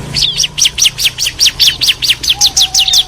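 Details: Rapid series of high, downward-slurred chirps from a bar-winged prinia pair answering one another, repeated about every quarter second. A faint low steady hum sits underneath and a thin whistle appears near the end.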